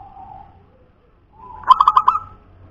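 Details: Local wild-type zebra dove of the punden type, cooing. A soft low hum opens, then a quick run of about five staccato, bubbling higher coos ends in a short drawn-out note. Faint low background rumble.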